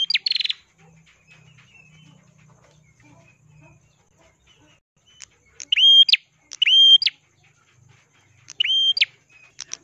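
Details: Ashy Prinia giving sharp, ringing phrases that swoop up and down between high pitches, repeated in bursts every second or two, with a brief opening chatter.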